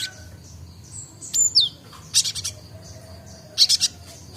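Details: Young Java sparrow learning its song, beginning to chatter: a sharp downslurred whistle followed by two short bursts of rapid high clicking chirps.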